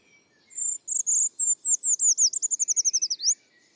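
Eurasian Treecreeper song: very thin, high notes that quicken into a shrill, descending trill and end with a sharp upward flick. No other sounds.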